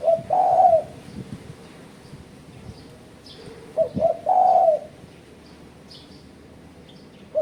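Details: Spotted dove with a call meant to press rivals, used as a trapping lure; repeated phrases of short notes leading into a drawn-out mid-pitched coo, a click at four seconds and soft distant chirping.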